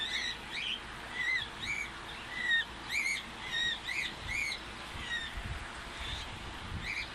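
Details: A free-flying pet cockatiel gives short, bright chirping calls, repeated in quick uneven bursts.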